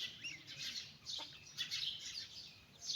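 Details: A flock of chicks walking with their mother hen gives a brief, busy outburst of high cheeping, with notes crowding together and swelling in volume.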